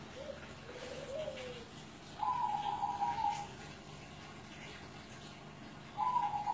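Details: Zebra dove over seven years old, recorded at a home in Kudus: soft low coos open the sequence, followed by a long, vibrating, trilled coo at higher pitch and a second trilled phrase starting near the end, over faint background hiss.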